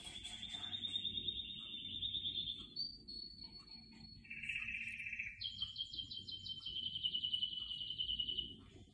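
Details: Canary singing indoors among houseplants: a long series of rapid trills and rolls at shifting pitches, a high steady whistled note, then a lower buzzy roll and fast pulsed trills, with faint low room hum beneath.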